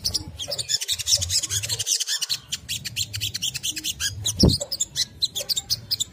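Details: Quick chattering song from a crimson sunbird, used to encourage other sunbirds to sing: a dense stream of high, shrill twitters, a thud near four and a half seconds, and low rumbling background noise.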